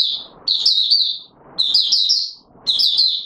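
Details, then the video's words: Oriental white-eye singing in courtship mode on 25 January 2022: three short, bright, rapid twittering phrases about a second apart, each a quick run of high warbled notes over faint low background noise. "Mata Puteh Raja V2 in courtship mode"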